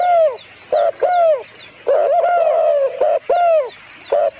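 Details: Dove giving loud, downward-curving nasal notes in quick succession, with one longer wavering note in the middle and brief pauses between phrases.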